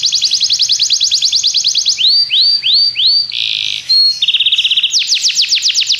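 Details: Belgian canary song, used to get other canaries singing: a fast, high trill, then four looping upward whistles, a harsh buzzy burst, a short pure note, a flat rattle, and finally a quick trill.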